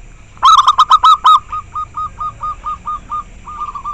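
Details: Local zebra dove noted for its very clear voice: a loud burst of rich rapid notes, then a run of about a dozen short hooked notes at even intervals, fading slightly.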